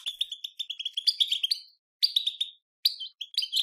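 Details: European goldfinch song aimed at setting goldfinches singing: a run of quick tinkling chirps, then short phrases of buzzy, rising twitters broken by brief pauses.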